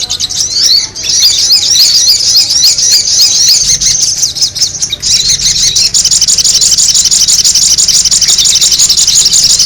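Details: Noisy sogon bird calls used as a lure: a dense, continuous high-pitched twittering chatter of many rapid squeaky notes, busier and steadier in the second half, with a faint low hum beneath.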